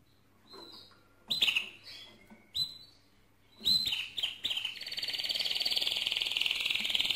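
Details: Mosaic canary song opening with scattered short whistles and chirps, then building into a dense, fast buzzy trill held for the last two seconds.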